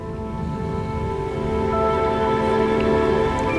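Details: Sustained instrumental music with steady tonal notes over a soft rain-like hiss, with no animal voice.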